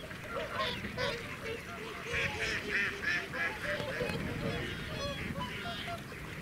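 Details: A flock of whooper swans close up at Welney WWT, Norfolk, UK, 20 November 2017, calling together: loud, bugling, trumpet-like honks overlapping at a quick, uneven pace, with a low rumble of background noise.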